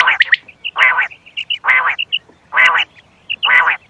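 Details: Loud quail lure calls for hunting: four strong, rasping bursts about every 0.9 seconds, each preceded by short piping high notes.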